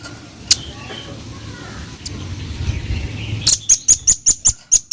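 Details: Velvet-fronted nuthatch in full voice: after a few seconds of low, murmuring background noise, a quick series of sharp, very high, clipped notes repeated about six times per second.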